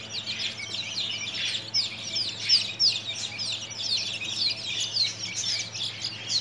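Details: Group of baby chicks, thirteen days old, giving a dense chorus of shrill descending peeps that overlap continuously, over a constant low mechanical hum.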